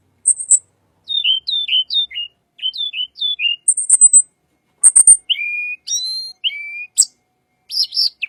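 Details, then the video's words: Little pied flycatcher song, used to lure white-rumped shama: high buzzy notes between runs of quick down-slurred double whistles, then longer flat whistles and a sharp rattling burst near the end. "BURUNG TLEDEKAN SUARA UNIK"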